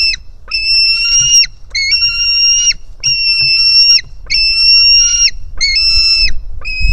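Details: Hungry white-tailed eagle youngster at its nest, 4 July 2018, live nest camera, jumping toward its mother: clear, shrill, level whistles of about a second each, roughly one per second, separated by quiet pauses.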